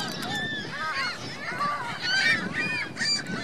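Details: At Virginia Lake in Reno, geese accompanied by goslings call in a dense chorus of arched, nasal honks, several birds overlapping with slight pitch bends.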